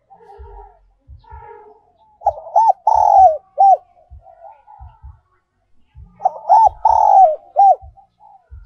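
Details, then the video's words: Spotted dove decoy song for luring, in the 'giọng còi' style also called 'giọng kim'. Two cooing phrases about four seconds apart, each of three or four notes with one longer, fuller coo. Soft low knocking thumps run throughout. "cu gay moi chuan mp3/ Giọng còi chuẩn nhất 2022"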